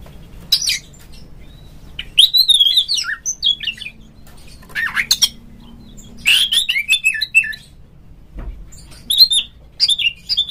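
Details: Caged oriental magpie-robin, a calling recording meant to get other magpie-robins singing: bursts of varied whistled and scratchy phrases, rising and falling, separated by short pauses over a low hum.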